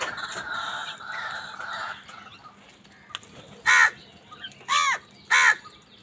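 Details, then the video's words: Angry crows fighting for food, giving harsh, broad caws; after two seconds of a busy mixed chatter, three loud caws come about half a second to a second apart near the end. "Crow birds unity anger and sound | Crow bird live crowing sound | Angry kawaa ki awaz naturally"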